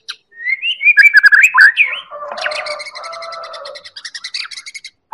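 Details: White-rumped shama of the Medan type, recorded as a lure/tutor song: a rich, varied song of sweet slurred whistles and buzzy phrases, ending in a fast run of sharp repeated chips.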